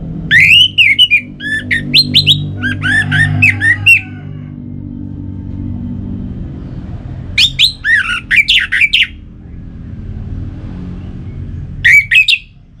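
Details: Orange-headed thrush song played to push kept birds to sing: repeated bursts of fast, varied whistles and chirps, two long phrases and a short final one separated by pauses, with a constant low hum beneath.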